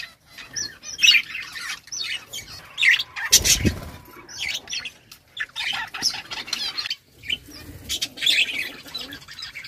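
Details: Budgerigars chirping: scattered bright warbling chirps and squawks in short bursts, with one loud broadband rustle like flapping wings near the middle.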